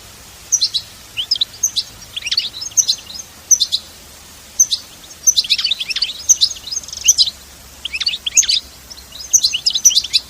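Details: European goldfinch giving 'bitbita' style song in nature, with no added sound effects: short bright chirping phrases of quick high notes and sliding tweets, separated by brief pauses, over a faint low background hum.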